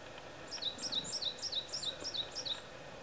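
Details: Varied tit perched on a tree branch singing, though a nearby Japanese tit may be the singer: high thin two-note phrases, a sharp upper note dropping to a lower one, repeated about seven times in quick series over steady background hiss.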